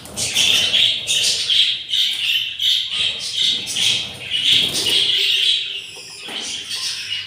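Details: Very hungry yellow budgerigar chicks beg in the nest on day 7 after four eggs hatched; loud, raspy, high-pitched squeaks repeated in fast pulsing bursts, several each second, pausing briefly then resuming.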